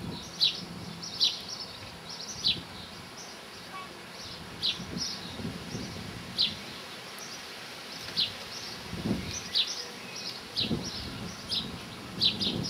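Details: Linnet, a small finch, close up; high twittering notes repeated irregularly, with rustling and low thumps in the background.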